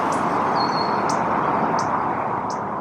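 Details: In summer in an urban Toronto birding patch, a male Indigo Bunting moving under trees calls persistently near an active nest: sharp, high chip notes, four in under three seconds, with a thin whistle early on, over a steady background rumble.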